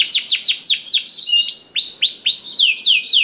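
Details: Singing canary used as a lure for other canaries, giving loud repeated down-slurred whistled notes about four per second, with higher thin whistles layered in.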